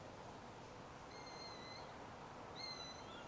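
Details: Sparrowhawk calling near its nest in an old beech tree. Two long, thin, even whistles follow each other, the second ending in a short downward flick. Soft hiss runs underneath.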